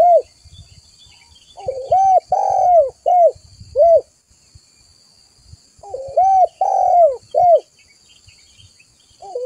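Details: Spotted dove lure call meant to attract other doves: two bursts of four or five arched, mellow coos, the third in each longer and stronger, separated by a pause of about two seconds, with soft low clicks in the background.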